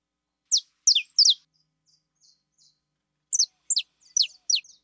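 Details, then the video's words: A female saffron finch produces sharp descending chirps, faint soft ticks in a pause, then another burst of steep falling notes with short whistled lead-ins. "CANÁRIO DA TERRA FIBRA"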